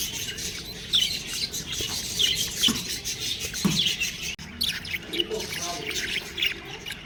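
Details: Budgerigar chicks give quick high tweets and thin chirps, spaced irregularly, with a few lower, hoarser squeaks mixed in and brief louder bursts of chatter in the second half.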